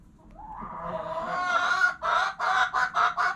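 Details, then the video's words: Hen clucking, a long, rising, nasal note that swells over two seconds and then breaks into four quick, evenly spaced clucks. "Hens Clucking Sounds Noises!"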